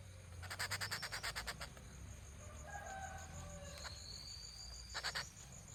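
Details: Rufous treepie calling: a fast run of about ten harsh, rattling notes, then quieter thin whistles and a rising whistle, and a second brief harsh rattle near the end. A constant insect hum sits behind.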